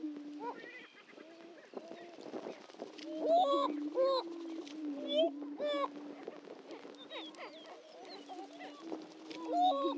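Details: A chorus of greater prairie-chickens at the historic lek on Dunn Ranch Prairie, Hatfield, Missouri: low continuous moaning hoots under frequent sharp whoops, yelps and cackling notes from several birds.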